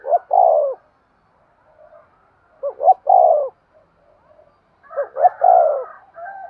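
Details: Three cooing phrases from a spotted dove, used to urge other doves on. Each phrase is a short note pair and a long, mellow, descending coo, spaced roughly every two and a half seconds in a quiet setting.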